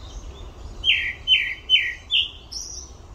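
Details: Olympic Park grey-backed thrush: four bold, falling whistles evenly spaced about 0.4 seconds apart. The phrase closes with a thin, high, drawn-out squeak.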